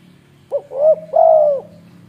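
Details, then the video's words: Single cooing phrase from a tame spotted dove in Indonesia, a quick opening note followed by two hoarse, mellow coos, the second held longer, over a faint low hum. "si Kukuk"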